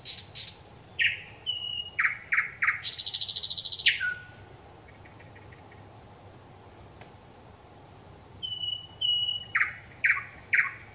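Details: Thrush nightingale song recorded 25 May 2021: rapid clipped notes, then a loud harsh buzzing rattle, a pause with faint distant ticking, and a fresh burst of sharp repeated whistled notes.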